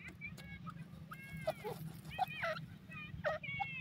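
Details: Male grey francolin calling: loud, harmonic, arched notes with quick rising and falling strokes, given in bursts one after another through the clip over a steady low hum.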